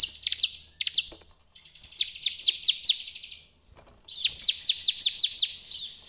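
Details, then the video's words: Bar-winged prinia lure song for prompting other prinias to sing: strings of five to seven sharp descending chirps in rapid succession, separated by short gaps. "pancingan ciblek terbaik untuk memancing ciblek gacor"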